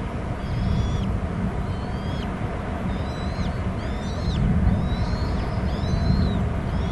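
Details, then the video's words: Bald eagle eaglets squeeing at a nest on Hornby Island as an adult arrives empty-footed at the back rim, 16:40 on 06/21, nest camera: thin high whistled squeals, rising then falling, repeated every second or so over a heavy low rumble. "eaglets squeeing"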